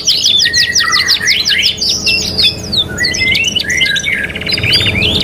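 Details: Canary song from a 3-in-1 training master recording: rapid rising trill notes repeated quickly, then warbling phrases with buzzy rolling trills in the second half, with a faint low hum underneath.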